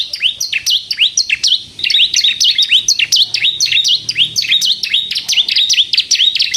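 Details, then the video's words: Bar-winged prinia (ciblek kristal) singing vigorously, a recording meant to lure and provoke other birds: dense, rapid chain of high sharp notes with downward slurs, almost continuous for over six seconds. "suara burung ciblek kristal gacor untuk pikat dan pancingan ciblek bahan agar bunyi"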